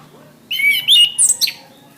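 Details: Orange-headed thrush (anis kembang) song used as a masteran tutor recording for caged birds: one rich whistled phrase of sliding, warbling notes that climb from mid to very high pitch in under a second, over a quiet background.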